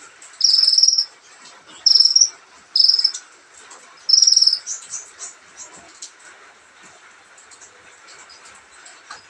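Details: Sunbird, known locally as kolibri ninja, singing a relaxed song: four short, very high, buzzy trilled bursts in the first four seconds, about a second apart, then only a faint background hiss.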